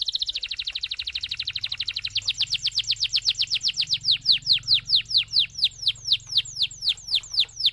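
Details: Canary song recorded to encourage other canaries to sing: a long series of downward-sweeping notes that starts fast and slows steadily, each note growing louder and more distinct, with a low hum underneath.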